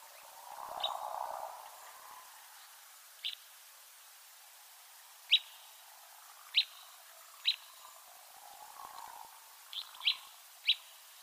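Willow flycatcher giving short, sharp, sneezy high notes at uneven intervals of one to two seconds, with a soft low murmur of background noise now and then.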